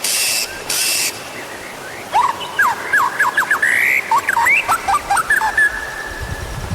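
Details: Lure recording of white-rumped shama song to get other birds singing; two bursts of broad hissing noise open it, then a lively series of short rising and falling whistled notes.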